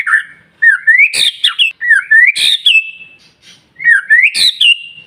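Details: Very insistent white-rumped shama song for stimulating other shamas to sing. Three repeated phrases, each a wavering whistle climbing into a sharp explosive note and a sustained high tone.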